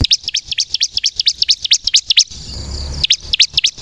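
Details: Bar-winged prinia, kristal type, in lure song to provoke other birds into singing; rapid high chirps for about two seconds, a short pause with low background noise, then chirping resumes.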